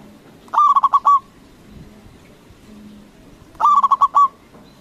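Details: A local zebra dove with a loud call, used to provoke other doves into answering. There are two bursts of about five quick, rolling cooing notes, roughly three seconds apart, over a faint low hum.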